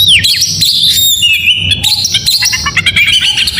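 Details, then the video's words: Morning 'gacor' song of an oriental magpie-robin: a quick string of bright whistles, a long sliding note, then fast stuttering chips and twitters in continuous succession. "Suara Burung Kacer Di pagi hari GACOR MEWAH"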